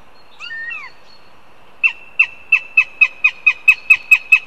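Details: Northern goshawk in Riga, Latvia, on a live nest camera, beginning its begging calls: one short drawn-out note, then a brief pause, then a quick run of about eleven sharp, even calls, each a clipped yelp, in a quiet setting.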